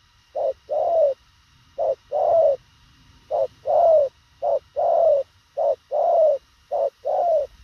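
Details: Spotted dove, thổ khàng type, giving quick, concise cooing. There are six or seven evenly spaced pairs, each a short soft note followed by a fuller, slightly descending coo, in a quiet background.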